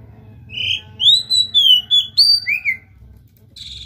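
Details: Oriental magpie-robin in loud, prolific song, a rich whistled phrase of about eight clear notes, some sliding up and others falling, delivered in quick succession with a soft low hum beneath.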